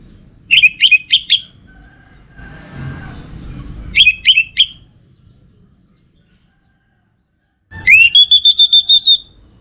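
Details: Orange-headed thrush singing a lure song for other birds: two bursts of four sharp, chirpy notes, a quiet gap, then a rising whistle that breaks into a rapid, steady string of whistled pulses.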